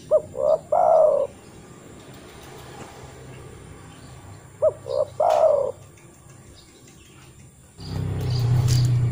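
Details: Spotted dove calling, a sound that in the wild calls other doves: two three-note coo phrases about four seconds apart, each short, rising, then long and falling, ending in a burst of low rumbling noise.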